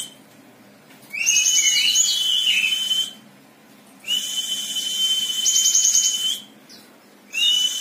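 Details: Java sparrow, an untrained young bird, in song: long, drawn, level whistles lasting two to three seconds each, separated by short pauses, with faint high twittering trills over them.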